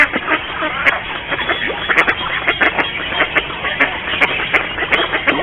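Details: Mallards during courtship display in a garden in Mikorzyn: a dense, steady chatter of overlapping nasal quacks and short calls from several birds, with sharp clicks scattered throughout and no pause in the calling.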